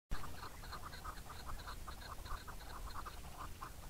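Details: Chukar calling in a steady series of short, clipped notes repeated about three times a second, each note harsh and mid-pitched with a faint higher overtone, over constant low rumbling background noise.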